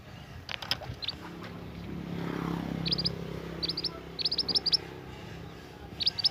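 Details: Young scarlet minivet from the forest in lively song: bright, high whistled notes in twos and threes, clustered in bursts, with faint low rumble in the background.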